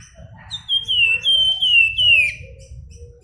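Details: Flamboyan, the Javan Fulvetta, delivering nyuling flute song: four or five sweet, sustained whistles in quick succession, the final one dropping in pitch, over a quiet low background hum.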